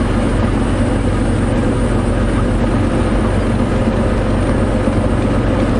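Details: Loud, constant vehicle engine roar with a deep droning rumble fills the recording from start to end, with no animal calls.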